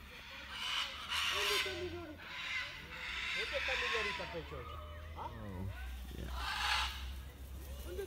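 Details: Harsh, grating scarlet macaw squawks at the Copán ruins macaw sanctuary come in bursts every couple of seconds, over people talking and a low engine-like hum.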